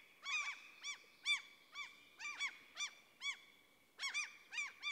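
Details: Forest in the middle of Sweden, common cranes giving a steady series of loud, bugling, arched notes about once a second, some doubled, over a thin continuous high tone.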